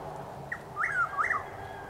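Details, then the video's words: One whistled Chuck-will's-widow phrase from Lake Placid, Florida, heard about 6:20 am on 12 April 2023: a faint clipped first note followed by two strong slurred notes rising then dropping, against a quiet background hum. "Chuck-will’s-widow (Antrostomus carolinensis Gmelin 1789) making its call"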